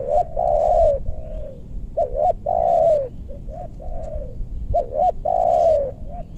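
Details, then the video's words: Spotted dove luring wild birds in meranti woodland, west Bogor, Indonesia, targeting big-voiced birds. Repeated low cooing phrases: a quick two-note lead-in, then a long drawn, slightly falling coo and a softer trailing note, about every two seconds. "Pikat tekukur ajaran si bucil paksa turun bl suara besar"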